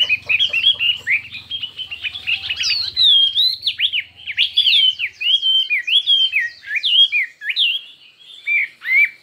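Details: Chinese hwamei singing in a contest, song of many voices: opens with fast rattling chips, then a long run of varied loud whistled phrases that slur up and down, some with deep swoops, with a faint low hum early on.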